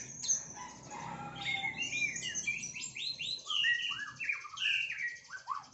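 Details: Murai batu, the white-rumped shama, in rival-piercing 'tembakan' song: a continuous stream of rich, rapid whistles, slurred notes and twittering trills, rising and falling in quick succession with hardly a pause.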